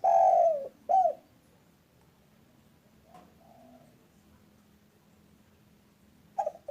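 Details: Local spotted dove, a frequent caller of the single-kuk style, used as a lure for trapping. Two short mellow coos open the passage, then near silence with faint soft notes, and another brief coo at the end.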